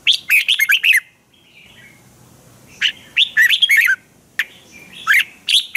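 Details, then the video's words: Lively training song from a Red-whiskered bulbul in Thailand. Two full phrases of rapid, ringing whistled notes are separated by a short gap, and a third phrase begins before the end. "นกกรงหัวจุก | เจ้ากวนอู เสียงร้องริก คึกจัด คมชัด ครบเครื่อง เสียงฝึกร้อง"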